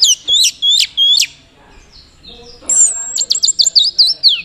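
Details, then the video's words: Orange-headed thrush from Mojokerto singing in teler style, thought to draw a partner. Three looping whistled phrases, a short lull, then a fast run of high descending whistles. "Anis Merah Teler Gacor"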